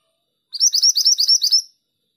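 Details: Female pied triller in full song: about eight sharp, high, slurred chirps delivered in a steady rapid series lasting just over a second, against silence.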